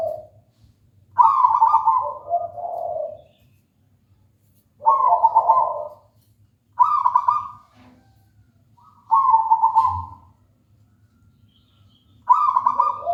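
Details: Local wild zebra dove (perkutut) singing repeatedly: five short bursts of rapid trilled, rolling coos, each about one second long, separated by pauses of one to two seconds, with a steady low hum in the background.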